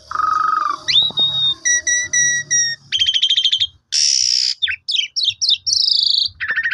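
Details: Lure song of a black-collared starling, played mornings to rouse other starlings into full song with their fill-in phrases: a flat whistle, a rising slur, steady repeated pips, then loud hissing bursts and quick chirps.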